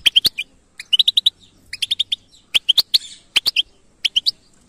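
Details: European goldfinch in batbata song, bright twittering notes in tight groups of three to five, with short silent gaps between groups.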